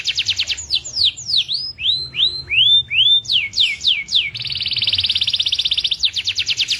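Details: Indonesian local canary: rapid clicking notes, a string of downward then upward swooping whistles, then a long fast buzzing trill and resumed quick notes.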